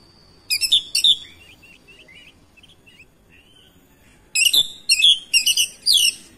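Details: Oriental magpie-robin reacting to another singer: two loud chopped whistles, then a string of soft, quiet twittering notes, followed by four emphatic, sharply descending whistled phrases.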